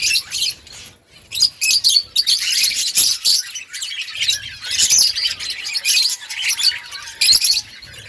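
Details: An outdoor colony of budgerigars chatters in loud high bursts of squeaky, twittering warble, separated by short lulls; a soft low whistle slides downward near the end.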